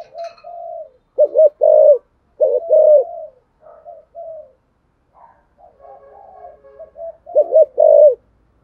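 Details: Decoy spotted dove calling to attract wild birds, giving low, soft cooing phrases: quick doubled coos, a drawn-out downslurred note, and faint murmuring between loud phrases, with no other sounds.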